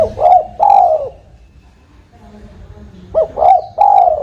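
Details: Spotted dove heard as a trapping lure: low, mellow coos ending in a long drawn-out note, then about two seconds of quiet before a fresh phrase of short clipped notes and longer smooth coos.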